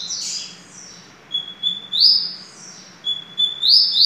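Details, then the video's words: Double-collared seedeater song with a harsh high chirp, then two phrases about 1.5 seconds apart. Each begins as a steady whistle and ends in a bright buzzy trill. "Coleiro Bem Amado"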